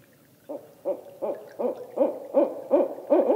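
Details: Ascending call of a barred owl: a steady run of eight hoots, roughly three per second, each one a little louder than the last, with no other sounds.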